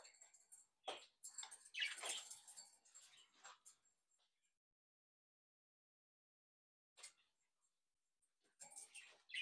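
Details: A captive brood of young Budgerigars just out of the nest chatter in bursts of scratchy, buzzy warbles and chirps for about four seconds, then fall quiet before a few more rasping notes return.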